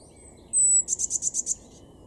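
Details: In April 2022, in a garden in Weener, East Frisia, far northwestern Germany, a Eurasian blue tit sings one very high, thin, drawn-out whistle, then a quick trill of six bright, very high notes.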